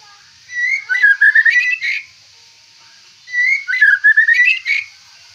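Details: White-rumped shama, a caged fighter bird with a rich song repertoire, repeating the same twittering whistled phrase twice with a pause of about one and a half seconds between them.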